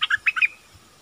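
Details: Bulbul kept as a decoy for luring wild birds, 16 March 2021: five quick chirped notes in under half a second, sweet and slightly warbled, then quiet.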